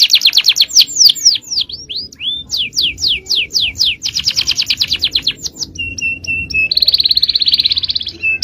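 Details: Caged male canary delivering champion-style cengkok song for song training: fast falling whistled sweeps and rattling trills, then short flat whistles and a buzzy high roll.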